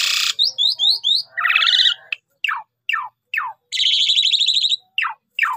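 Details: Javan pied starling song used as a lure sound for trapping: loud, varied phrases with quick descending whistled sweeps, harsh buzzy stretches and rapid downward slurred notes separated by short pauses, no background noise.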